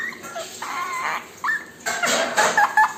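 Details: Pet Indian ringneck parakeet, a male, dancing and singing with its owner indoors; short squeaky whistled notes and harsh bursts, rising and falling, in quick uneven bursts over three seconds.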